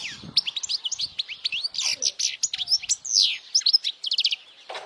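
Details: European goldfinch in full song for young birds to memorize: a lively stream of high, twisting chirps and short trills, rising and falling rapidly, ending with a rattling flourish.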